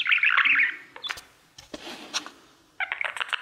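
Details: Male pet budgerigar singing to his mirror: a dense burst of scratchy, chattering warble, then near-quiet clicks and soft notes, before a fresh run of rapid chirps starts near the end.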